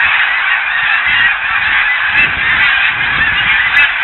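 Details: Continuous massed honking of snow geese gathered on ponds at Blackwater National Wildlife Refuge in winter, feeding and resting; a dense, even clamor with no single call standing apart.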